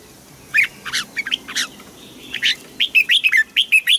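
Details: Bird singing in Thailand, starting with separate sharp notes, then speeding into a lively string of clear, slurred chirps.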